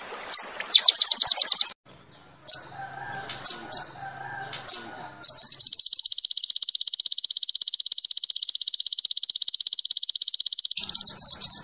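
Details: Crested jay in 'tembakan' song: quick high trills, a brief gap with low tonal murmuring and isolated sharp notes, then a long, steady, shrill rattle of very fast repeated notes lasting about five seconds.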